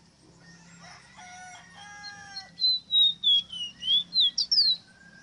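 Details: Ruddy-breasted seedeater (Sporophila minuta), the ave rosita, gives a bright series of about eight whistled notes stepping downward and then flicking upward, following faint drawn-out harmonic calls from another bird in the background.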